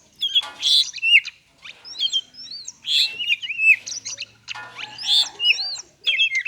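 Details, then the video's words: Kacer, the Oriental magpie-robin, singing 'konslet' style as a prompt for lazy or silent birds: bursts of bright whistled phrases and buzzy chatter, each lasting about a second, separated by brief pauses. "Kacer konslet cocok untuk pancingan burung kacer malas bunyi"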